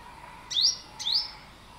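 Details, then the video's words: A yellow-bellied sunbird gives two thin, high, rising chirps about half a second apart, each sweeping upward and ending sharply, over a faint steady hum. "เสียงนกกินปลี Bird sound"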